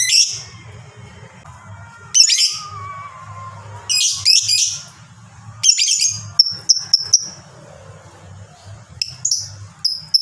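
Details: Lovebird of the fighter type, a singer described as sounding long ngekek chatter, used to coax other lovebirds into calling: harsh high screechy bursts at irregular intervals, then quick clipped high twitters toward the end, with a low steady hum beneath.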